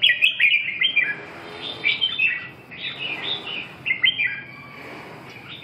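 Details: Red-whiskered bulbul song made of lively warbling phrases repeated roughly every second, each a quick run of liquid up-and-down notes, over faint background hum.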